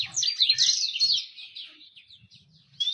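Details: Lure song for attracting females: a short, bright burst of high warbled trills that fades into softer chips, then a fresh rising whistle at the end, faint low thumps below.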